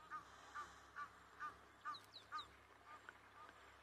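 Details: Egyptian geese on an African safari drive in the late afternoon near sunset: a run of hoarse, nasal honks about twice a second, with higher sharp notes of a blacksmith lapwing calling in the background.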